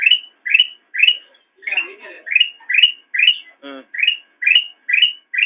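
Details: Training recording of black-crested bulbul for cage birds: rapid upslurred whistles, nearly two per second, broken by a brief buzzy scratchy patch and one short harsh low sound midway.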